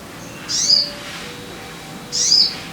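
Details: Sogon bird song used as a lure to get caged birds singing: two sharp, very high chirps about one and a half seconds apart, each a brief bright burst with a quick downward slur.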